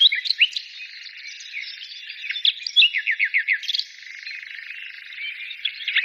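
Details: Several birds chirping and twittering high and thin, with a clear series of about six quick descending chirps in the middle before the chorus softens.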